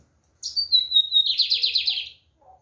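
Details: Lined seedeater song delivered firmly: a high, clear whistle sliding gently downward, running straight into a rapid, rhythmic buzzy trill of about a dozen pulses lasting under a second, then a faint low note.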